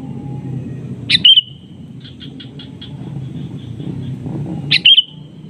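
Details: Natural call of a sooty-headed bulbul summoning a rival, which responds. A sharp loud chirp, then a soft rapid string of about seven short notes, then another loud chirp about three and a half seconds later; low traffic-like rumble underneath.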